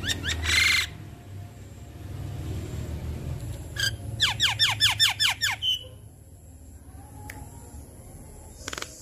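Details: Lively adult Javan myna giving a lure call to draw replies from other mynas: a rapid run of about seven steeply descending squeaky notes near the middle, with a rustle before it and steady low background hum.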